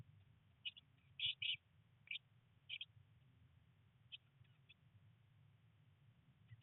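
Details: Eurasian blue tit nestlings, one of three chicks on day 19 in a nest box during heavy rain and first flight attempts: short high chirps in small clusters, some doubled, spaced irregularly over a steady low hum.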